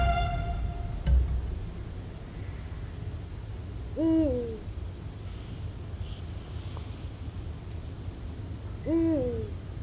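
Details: Eurasian eagle-owl pair at Sihwa wetland, Korea, late autumn: deep, slightly bending hoots about five seconds apart, calls passing between mates; the male calls from a high perch to claim territory, low baritone versus the female's high notes.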